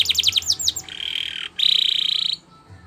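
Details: Canary singing a training song: quick descending whistled notes that run into a smooth sustained roll, a brief break, then a bright buzzy trill that stops abruptly.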